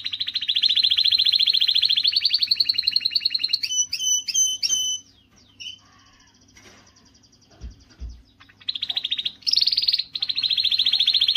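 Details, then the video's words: Strong canary song to stimulate females: a steady fast trill, then a series of clear evenly spaced whistled notes. A quiet gap with faint soft notes follows before loud rolling trills return. "تغريدة قوية من الكناري لتحفيز"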